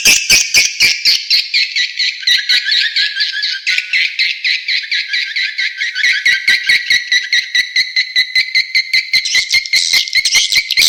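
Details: Edible-nest swiftlet outdoor calling sound (suara panggil luar) played to attract swiftlets: a continuous dense stream of high twittering chirps laced with rapid, evenly pulsing clicks, steady throughout without pause.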